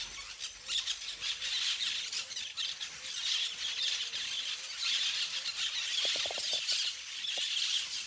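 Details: Parakeets in a flock at play among the trees, keeping up continuous high, harsh chattering in pulsing waves, with several short low taps near the end.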